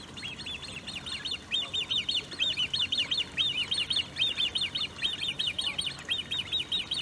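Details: Great crested grebe with young, Maasbommel, De Gouden Ham, 1 August 2018; shrill piping notes delivered in quick clusters of three to five, clusters repeating roughly every half second, clear above a faint low hum.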